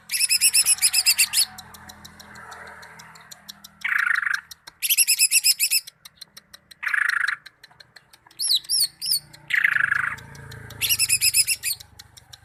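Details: Greater green leafbird (cucak ijo) from Malinau alternating high rapid trills with harsh buzzy bursts and a few quick twittering whistles, against steady low background noise.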